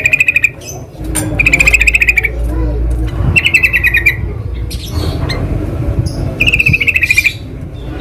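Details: Wild sooty-headed bulbul giving several short rattling bursts of rapid, evenly pulsed notes, each under a second long, with steady low rumbling noise between them.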